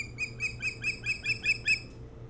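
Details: Early morning at an osprey nest on Hog Island, Maine, nest cam, 07-03-2018. Nine crisp, high whistled notes come quickly and evenly in a row, then stop, with a faint electrical hum underneath.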